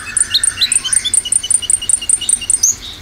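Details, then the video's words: Olive-backed sunbird song used as a lure, dominated by sharp, rapid high chirps: thin notes repeated about four times a second, some dropping lower, forming a fast, even, ticking series. "Pancingan konin dominan tembakan"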